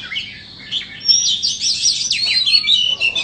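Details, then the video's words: White-rumped shama, a captive bird, singing a rich, varied run of whistled and chattering phrases, with quick rising and falling notes and short bright trills packed closely together, with no pauses, over faint low background hum. "Chích choè than bông"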